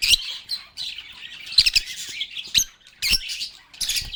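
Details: A group of lovebirds giving rapid bursts of high, harsh chirping and squawking, separated by short gaps and a few sharp clicks.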